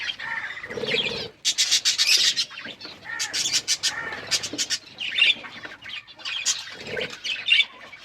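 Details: Pet budgerigars chirping in bursts, short scratchy warbles alternating with sharp clicking chatter and a few lower squawks, busy throughout.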